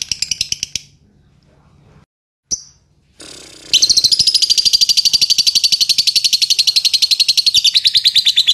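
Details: Lovebird ngetik chatter used to provoke long ngekek: a few sharp ticks, a pause with a lone chirp, then a loud steady run of shrill rapid notes.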